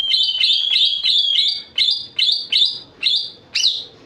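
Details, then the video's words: Sooty-headed bulbul delivering sharp 'tembakan pedes' phrases: eight or so short bright whistled notes, each with a rising flick, repeated about every third of a second, with the final note higher and more emphatic. "cucakijo tembakan pedes"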